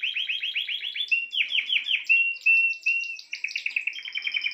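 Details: Spanish timbrado canary in full song: fast rolling trill of rising notes, then drawn-out steady whistled tones, closing with a rapid metallic rattle of repeated syllables.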